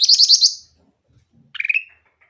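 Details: Grey-cheeked bulbul singing clearly, played as a lure to coax quiet bulbuls into song: a rapid burst of high, sharp chattering notes, a pause, then a short rising whistled phrase, with faint low murmurs between.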